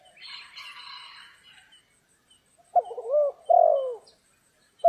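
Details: Spotted dove during trapping in stormy, rainy weather. A soft scratchy rustle comes first, then after a pause low, rounded coos, one short and one longer with a bending tone, and the start of another.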